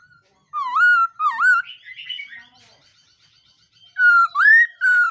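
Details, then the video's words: Morning voice-training song of a black-throated laughingthrush: two rich whistled notes that dip then rise, a brief soft scratchy warble, a pause, then three loud, slurred whistles in quick succession. "Khướu mun hót luyện giọng . Khướu hót sáng luyện giọng kích bổi"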